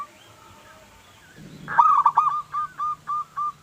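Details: Local zebra dove song meant as a lure to prompt other doves to answer: after a quiet start with faint background sounds, a rolling cooing burst followed by evenly spaced short coo notes.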